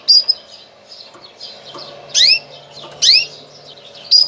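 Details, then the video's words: Mating call of a female canary, meant to ready males for breeding. Three bright down-slurred chirps come near the end, after quieter high twitters and a faint low hum. "انثى الكناري, نداء التزاوج, لتجهيز الذكور"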